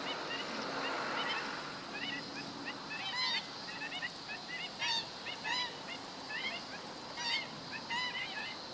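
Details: Black-winged stilt recorded on 17 August 2013, giving a busy run of nasal, yelping calls with bright harmonics, several overlapping or in quick pairs, over a steady broadband hiss of outdoor background noise.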